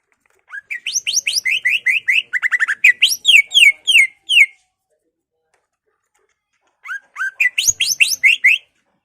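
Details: Greater green leafbird, kept in a cage, delivering a long run of loud, rapid, down-slurred whistles and chattering notes for about four seconds, then a second burst after a pause, serving as a provoking lure for other leafbirds.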